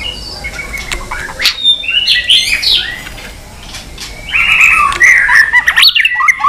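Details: Many-voiced fighting song of a white-rumped shama flicking its tail: scattered high notes, then loud bursts of rich warbled whistles and slurred phrases, with a brief quieter gap between.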